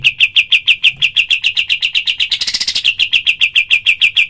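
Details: Training recording of a cream-vented bulbul's 'tembakan' call: a dense run of short, sharp repeated chirps, about three per second, with a brief hissy, brighter flutter near the middle.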